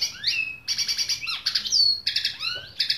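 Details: Tuffahi bird song with fast, high chirping phrases, short rattling trills and thin whistled notes that rise and fall, delivered in a lively, continuous flow with little other sound.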